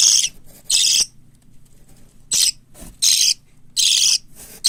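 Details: Hand-reared parakeet chicks, white lovebird, cockatiel and budgerigar, kept indoors in Fukuoka, Japan, give harsh, hissing rasps in separate bursts of about half a second, with near-silent gaps between them.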